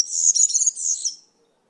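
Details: Single short burst from a European serin, high and jangling, about one second of quick buzzy twitter that fades out into silence.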